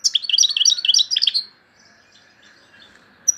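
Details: Algerian European goldfinch in loud, high song: a quick run of liquid twittering notes for about a second and a half, then near silence with faint distant twitters.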